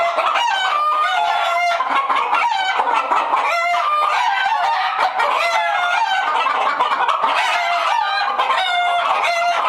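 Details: Alarmed hens inside a coop, a dense chorus of many chickens clucking and squawking at once, overlapping nasal cackles and drawn-out wavering screams, continuous and loud throughout.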